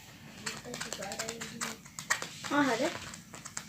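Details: Pet parrot speaking a greeting, 'salam', indoors in a small room; short voiced speech-like syllables with rising and falling harmonic tones, the clearest burst near the end.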